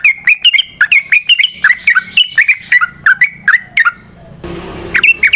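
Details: Trucukan, or sooty-headed bulbul, singing for use as a lure: steady chain of bouncy, slurred whistled notes rising and dipping in pitch, roughly three per second, broken by a short burst of rustling noise near the end.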